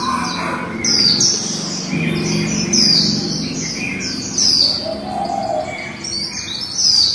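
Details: A female white-eye sings líu-style, with fast high twittering phrases punctuated by bright downward slides at intervals of roughly one and a half seconds, over a faint low rumble.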